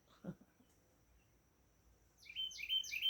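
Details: On a warm June 14, 2024, a bird thought to be a Carolina wren, identified by a phone app, bursts into loud, ringing phrases repeated about three times a second after a woman's brief voice; a thin, steady high whine runs underneath.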